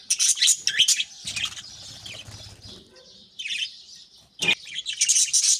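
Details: Several captive budgerigars starting their morning, chicks fed in nest pots; sharp high chirps and scratchy warbles in quick bursts, with wing flaps and a low rustle between calls.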